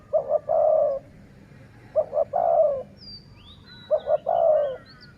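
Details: Dove luring call, sai mueang style. Two quick coos are followed by a held, even coo, repeated three times roughly every two seconds, with a faint sweeping whistle from another bird.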